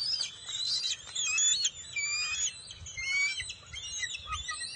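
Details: Noisy juvenile bald eagle greeting an adult bringing the day's first fish, June 22, 2021: dense, overlapping high thin whistles and chittering squeals over a low rumble of background noise.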